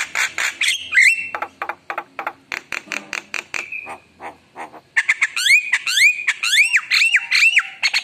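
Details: Singing Javan myna: clipped chattering notes and a sharp whistle, a pause, then a lively run of looping, rising whistles over harsh squawks.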